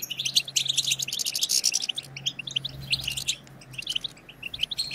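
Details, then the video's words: Chattering European goldfinches, a collective twitter played to encourage goldfinches to sing: rapid tinkling high notes, busiest in the first two seconds, then thinner spaced chirps, over a faint low steady hum. "هيجان خرافي وتحفيز من أول دقيقة بتبتة حسون خرافية لن يهدأ حسونك بعد سماعها قل وداعا لصمت الحسون"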